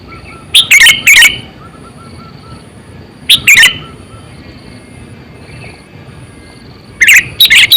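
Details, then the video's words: Lively calling from a sooty-headed bulbul kept as a lure bird, about 8 to 9 years old: three clusters of quick, gurgling chirps separated by pauses of two to three seconds, with faint background hum. "Suara Burung Kutilang Gacor,100%Suara kutilang Asli"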